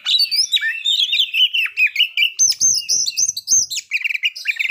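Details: White-rumped shama song for provoking breeding condition and aggression: warbling whistled phrases, then high trilled notes repeated in quick rows, with faint clicking beneath.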